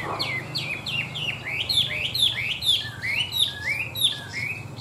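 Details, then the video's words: A rich series of slurred whistles, each note swooping down then up, repeated about every third of a second, comes from a tame, well-singing caged Chinese hwamei of large build in Vietnam; faint low hum behind. "Họa mi thuần đẹp, hót tốt bộ to"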